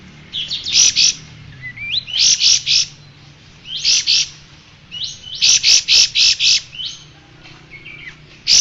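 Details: Striated grassbird song meant for training cage birds. Phrases repeat roughly every one and a half seconds, each a rising slurred whistle leading into three or four loud, harsh, buzzy notes. A steady low hum runs underneath.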